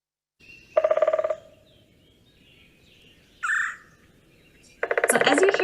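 A woodpecker drums two short, rapid rolls of knocks. Between them comes a brief higher call-like note, over a steady background hiss.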